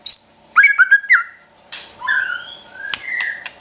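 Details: White-rumped shama song in the trotol style, used as a training recording to provoke a pet shama into singing: an opening high whistle, then quick slurred whistled notes, a pause, and rising and falling whistles with sharp clicks.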